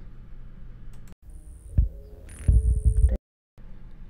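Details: Male Chilean Woodstar, an endangered species, in the Atacama Desert of far northern Chile, September 2010. In an aborted courtship dive to a perched female, he makes two short, very high thin tones by spreading and shutting his tail at the bottom, over low thumping.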